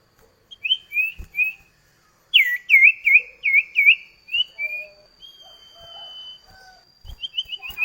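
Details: Kept common iora (cipoh kacat) duet song used as a lure to make kept birds sing: clear whistled notes with slurred, dipping shapes, delivered in quick runs, then a long steady high tone and a brief rapid series of short notes.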